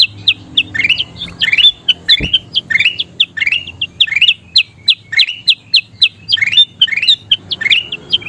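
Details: Golden bulbul (kutilang emas) singing energetically, 'gacor' style, as training audio: loud, upslurred whistled phrases repeat two or three times a second, with one sharp click early on.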